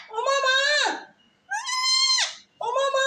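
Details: Indoors, a parrot talks face to face with its owner, producing drawn-out, nasal, speech-like phrases that bend downward at the end, three in quick succession.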